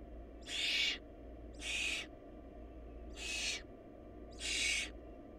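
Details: Barn owl chicks short of food in the nest after the runt died; four loud noisy screech-hisses spaced roughly every 1.3 seconds, each about half a second long, with a low hum beneath.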